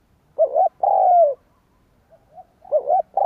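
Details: Spotted dove calling to entice wild doves: a wavering double note and a long descending coo, then soft short coos and the start of another phrase.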